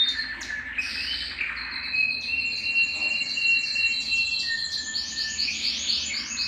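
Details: Belgian canary singing to excite males and prepare females for breeding: varied tours of chattering notes, a steady whistled line and closing rapid high bubbling trills.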